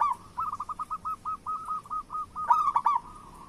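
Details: Local zebra dove in vigorous song, meant to prompt others: a fast, even string of short coo notes, then a loud rolling phrase near the end.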